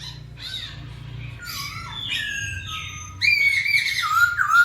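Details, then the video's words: Lively masked laughingthrush song meant to stir quiet birds into calling: scratchy squawks give way to loud clear whistled slurs, dropping and wavering, with a constant low hum behind. "KICAU BURUNG POKSAY HONGKONG GACOR"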